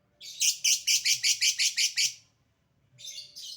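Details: Short lovebird 'ngekek' burst: about nine harsh, buzzy high notes in quick succession, a second of silence, then another rough chattering phrase begins.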